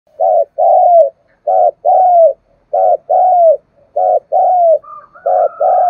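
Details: Spotted dove cooing, described as a native field bird in full, rapid calling; repeated paired low hooting coos, each falling slightly at the end, in phrases about every second, with a faint higher whistle near the close.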